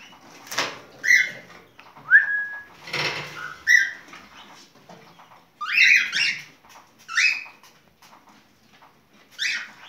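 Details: Mating song of a cockatiel mixing clear whistled notes, one sliding upward, with harsher broadband chirps and scratchy sounds, spaced irregularly over about ten seconds.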